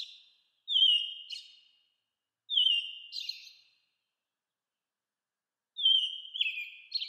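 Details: Calling American robin gives three separate downslurred whistles with buzzy end notes, the last after a four-second pause and followed by quick extra notes. The background is silent.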